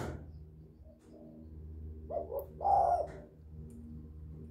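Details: Spotted dove calling to lure other doves: a soft low coo phrase of two short notes leading into a longer, louder hoarse note, over a steady low electrical-like hum.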